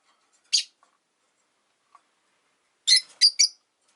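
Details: Pet rosy-faced lovebirds, five in a window-side cage in Japan, chirping in winter: one sharp high chirp, then a pause, then a quick cluster of three harsh, high-pitched chirps near the end.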